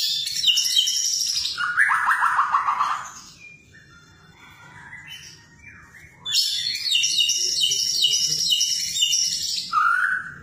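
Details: Actively singing white-rumped shama: bright, high warbled phrases and a dense run of falling notes, a quieter stretch, then a long, loud, high chattering phrase ending in a short whistle.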